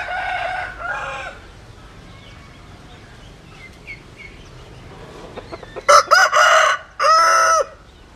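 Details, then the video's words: Cockerel crow heard as loud harmonic bursts late in the recording, after a quieter opening crow and faint clucking in between. "Tiếng Gà Gáy"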